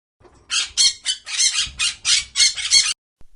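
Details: Parrot giving harsh, raspy squawks in a rapid series of about eight bursts, with short gaps between them.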